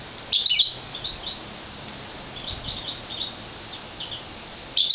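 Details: One-year-old goldfinch mule, a European goldfinch crossed with a colour-fed intensive green fife canary, gives two loud bursts of bright, high twittering at the start and end, with soft chirps between.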